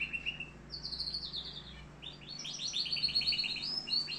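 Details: Canary from Algeria singing: high trilled phrases, a steady whistled note then rapid repeated notes, about three per second, mostly high-pitched; faint low hum in the background.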